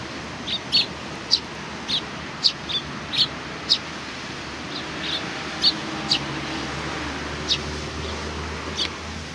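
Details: Sparrows gathering in welcome, recorded 27 July 2020; a run of quick high chirps about every half second that thins out later, with constant low rumbling noise throughout.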